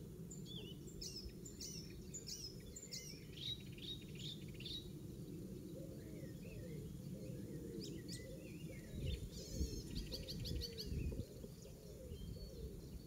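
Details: Mimicking icterine warbler singing in a Pieterburen garden on 17 May 2022, oystercatcher among its copied sounds; a long varied stream of quick chirps, whistles and rasping trills, with low repeated notes and background rumble.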